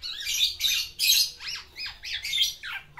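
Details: A kept black-naped oriole courting a female, giving its varied song content: a run of harsh, buzzy, squawking notes in bursts about every half second, several sliding downward, in a quiet room.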